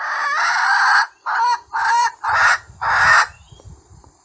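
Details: Wild red junglefowl hen calling: one long, raspy squawk is followed by four shorter harsh bursts in close succession, then a soft rustling or thumping background near the end.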